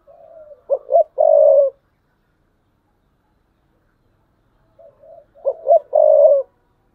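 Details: Decoy spotted dove repeats its thúc bổi coo twice, about five seconds apart. Each phrase has a soft low lead note, two short notes and a long resonant coo, with silence in between.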